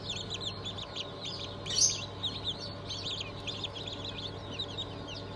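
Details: Newly hatched chicks from a 20 June 2023 hatch of Cream Legbar, Sussex, Sultan and Fizan breeds, a crowd of high, thin peeps overlapping continuously, each a short quick downward chirp, with one louder peep near the middle over a steady low hum.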